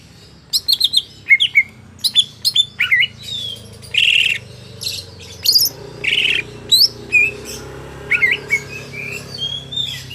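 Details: Greater green leafbird from a market singing a varied song of sharp chirps, clear whistled slurs and scratchy bursts, delivered in quick bouts with brief pauses.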